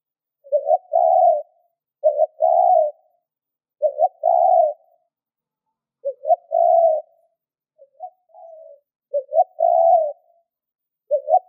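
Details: Spotted dove, a caged lure bird, giving steady cooing phrases: low, hollow two-part coos, each a short pickup note and a longer rolling coo, repeated about every one and a half to two seconds, in otherwise silent surroundings.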